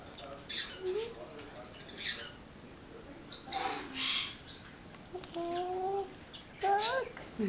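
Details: A pet quaker parrot (monk parakeet) calling indoors: short squawks and soft whistled, rising chirps scattered over several seconds, with a person speaking quietly nearby.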